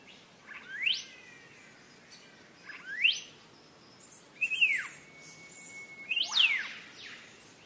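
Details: Cage-bird training recording of green leafbird song: quick rising whistles repeated about every two seconds, then a falling note running into a long flat tone, ending in a dense rising burst.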